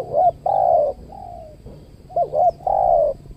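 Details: Spotted doves (tekukur) in the Riau Islands, Indonesia, cooing during a luring session at a new site with a trained decoy dove; two rounds of a short double note followed by a long, steady, mellow coo, with faint low background rumble.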